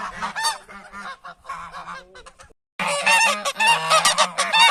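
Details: Geese calling as humans approach them, a flock giving harsh nasal honks in overlapping bursts, quieter and sparse at first, then after a brief silence a loud dense chorus of many birds honking together.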